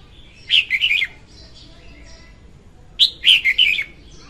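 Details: Singing red-whiskered bulbul hen, a bird-trapping lure recording: two vivid phrases of quick, slurred whistles, each about half a second long and about two and a half seconds apart, with faint chirps between them.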